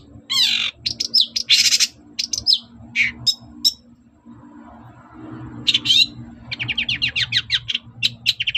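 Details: Long-tailed shrike in energetic, persistent song meant to provoke a reply: a jumble of harsh squawks, buzzy bursts and scratchy notes, a brief pause, then a rapid series of quick chattering notes, with a steady low hum throughout.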